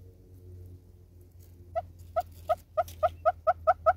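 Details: A southern red-billed hornbill singing in South Africa: about nine hollow clucking notes that speed up steadily, over a low background hum.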